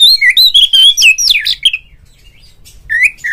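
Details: Oriental magpie-robin, kept bird, rival-provoking lure song: fast varied whistled phrases with sweeping slurs and chips about two per second, a pause, then a short rising whistle pair.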